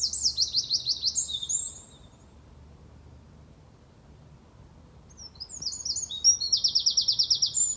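Eurasian wren bursting into loud, very high, rapid rattling trills, two explosive phrases split by a couple of seconds of quiet, over a faint low hum.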